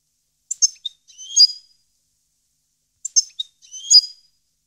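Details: Goldfinch song from 2015: sparse, high, sharp chirps followed by a slurred, slightly buzzy note, the same short phrase given twice about two and a half seconds apart.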